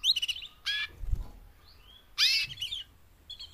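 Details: Female canaries, four in all, give mating calls to motivate singing males: short separate bursts of sharp chirps and a thin descending whistle, with quiet gaps between them.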